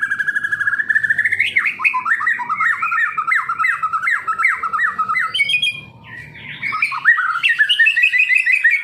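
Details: White-rumped shama kept as a contest bird pours out a rapid string of looping, slurred whistles repeated almost three per second, then shifts to higher chattering phrases after a brief dip, against a light background hum.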